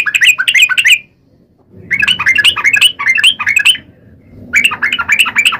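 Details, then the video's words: Yellow-vented bulbul giving lure song bursts intended to make other bulbuls call back, with three runs of rapid, jumbled, liquid notes separated by short gaps. "trucukan gacor ROPEL PANJANG buat pancingan trucukan agar bunyi"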